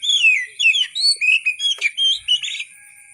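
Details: Oriental magpie-robin delivering a busy, varied song of descending slurs, whistles and sharp chirps, around ten phrases in three seconds, with a constant faint high tone behind.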